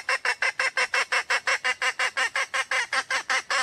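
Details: Wild female red junglefowl calling: a steady series of harsh, nasal clucking notes, about three per second, roughly nineteen evenly spaced notes with no other sounds.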